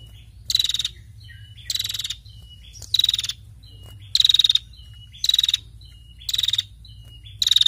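A female prinia gives harsh, buzzy rattling bursts about once a second, with thin high whistled notes between them and a low hum underneath.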